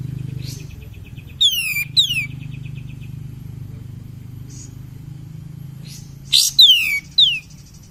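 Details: Cream-vented bulbul used as a lure to lift other birds' spirits, giving paired bright down-slurred whistles early on and again near the end, mixed with brief chattery notes above a constant low rumble.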